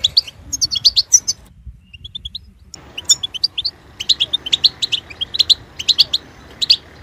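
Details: A European goldfinch sings sparkling high twitters, then a near-silent moment with a few soft notes, before resuming a steady run of rapid chirping phrases.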